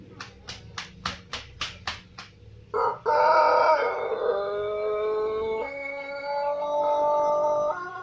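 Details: A string of about eight short, evenly spaced clucks, then a white Pelung chicken bursts into a long, loud crow. The crow holds steady harmonic tones that step gradually downward over several seconds.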